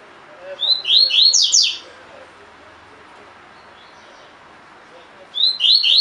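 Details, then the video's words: Caged double-collared seedeater in the tui tui fibra style for training birds: a phrase of bright descending whistles, a long pause with faint low background chirps, then the start of another phrase. "COLEIRO DE GOLA TUI TUI FIBRA (8 Horas Encarte)"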